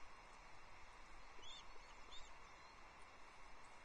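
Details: Loch Arkaig osprey chick, 9 July 2022, when food is delivered to the nest: a few high, arched whistling squeaks in close succession, then a lone faint note, over constant background hiss.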